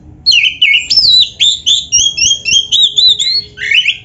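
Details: White-rumped shama (kacer) training song with mimicry: a long string of rapid, bright whistled notes repeated about once a second, wavering and ending in a lower slurred whistle.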